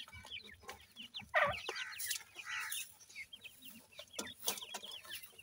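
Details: Several young francolin chicks being fed give thin, falling peeps in quick overlapping runs, broken by a louder burst of calls and scattered tapping sounds.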